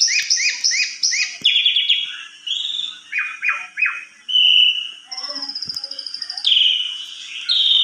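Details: Asian pied starling in lilting song, used as a lure to make quiet starlings sing: four quick paired chirps, several falling slurred notes, then long level whistles, one high and trilled, another lower and buzzy.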